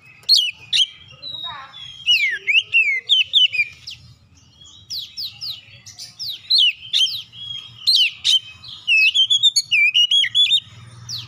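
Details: Oriental magpie-robin singing as a lure for rival birds: a long varied run of loud whistles, slurred swoops and sharp chips repeated rapidly in bursts, with a faint low hum beneath.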